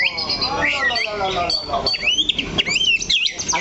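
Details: Caged Oriental magpie-robin (kacer) singing while perched firmly on one spot of its perch: a busy run of whistled notes, slides and chirps, with lower harmonic, voice-like sounds beneath early on.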